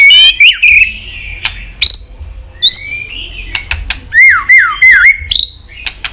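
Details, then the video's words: White-rumped shama twittering, many-voiced song to provoke rivals into fighting song: varied rising and falling whistles, sharp upward sweeps, and three quick dipping whistled notes in a row, with scattered clicks. "chòe lửa hót líu dụ bổi đấu kích lên lửa hiệu quả.kích chòe lửa hót đấu.kích lửa hót nhiều giọng"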